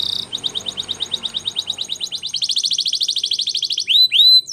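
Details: A canary sings Spanish Timbrado training song: fast metallic trills of repeated notes around 3–4 per second, speeding into a rolling burst and ending in rising whistled sweeps.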